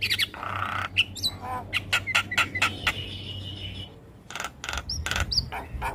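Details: Javan myna masteran for young birds: scratchy chatter, a run of sharp clicks with whistled accents, a drawn-out raspy note, then loud bursts.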